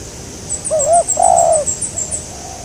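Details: Spotted dove during a bird-trapping outing: one two-part coo, a rising wobbly note then a long steady falling coo, over a rapid string of high thin chirps from another bird.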